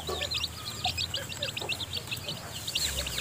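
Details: Newly hatched chicks in a nest with their mother hen while she feeds them; a dense chorus of high, rapid peeps runs throughout, with no clear hen clucks.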